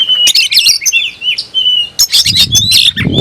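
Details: Caged oriental magpie-robin, tail open, singing to rouse a fight with a rival: a quick burst of twisting high whistles and chatter, a sustained level whistle, then more scratchy phrases over low rumble.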